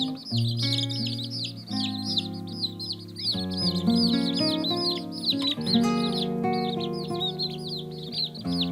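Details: Chicks of domestic chicken (Gallus gallus domesticus) peep in rapid, high arched notes, about two or three each second, over steady background music.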